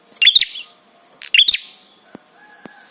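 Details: Prinia therapy call to provoke other birds into answering: two sharp, high chirp bursts close together, followed by a couple of faint clicks.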